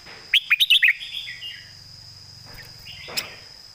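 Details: A red-whiskered bulbul, kept for singing contests, opens with five loud, quick whistled notes in a tight series, then fades into soft warbling. A constant high-pitched tone and a low hum sit in the background.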